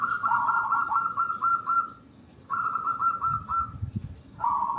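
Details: Zebra dove delivering a series of rapid staccato cooing notes in rolling phrases, each about two seconds long, separated by brief pauses, with low rumbling noise underneath.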